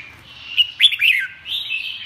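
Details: A brief red-whiskered bulbul phrase: two sharp whistled notes, then a quick falling slur and a softer trailing warble.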